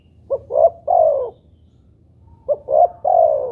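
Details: Spotted dove (derkuku) cooing as playback bait to get doves calling. Two phrases, each a short clipped note, a rising coo and a longer falling one, about two seconds apart, quiet low hum behind.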